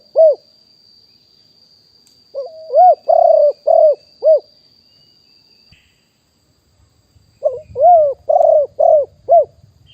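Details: Wild spotted dove at Nong Khu Phai, Thailand, recorded live in 2021 as a calling lure: a single coo, then two bursts of five to six rounded, arching coos in rapid series, separated by silence, with a faint steady high tone and some low rustling.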